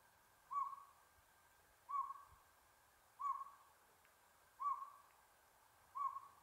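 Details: Northern pygmy owl calling at Buckhorn Campground in the San Gabriel Mountains, Los Angeles, on 7 April 2022: single short hollow toots, evenly spaced about every 1.3 seconds, five in a row against a quiet background.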